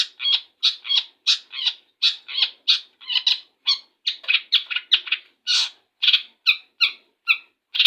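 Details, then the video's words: Long-tailed shrike singing in the morning right after bathing; a rapid run of short harsh chattering notes and squeaky chirps, roughly three per second, with brief gaps and varied pitch. "cendet ekor bondol baru mandi langsung tarik suara"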